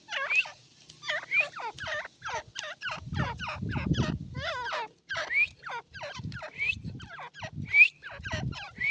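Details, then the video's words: Irani partridge giving a steady run of sharp, descending chirping notes with occasional thin rising squeals, broken by short pauses, with low rumbling bursts underneath. "irani teetar ki awaz❤❤ irani teetar ki voice"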